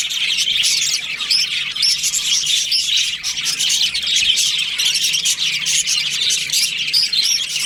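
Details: Budgerigar colony of breeding pairs in breeding season, many birds chirping at once in a dense, continuous high-pitched chatter of squeaky warbles and short whistled notes, with no pauses throughout.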